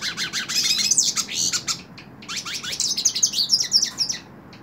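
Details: A hooded siskin held in a person's hand pours out a fast, high, jangling twitter of slurred upward sweeps and trills, almost continuous with one brief dip midway.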